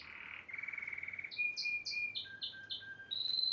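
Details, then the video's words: Spanish Timbrado canary, a yellow bird recorded in 2011, delivers varied song: a low rolling churr, then clear repeated pulses, short descending chips in a quick series and a final thin high whistle. "2011 SPANISH TIMBRADO GREAT SINGER"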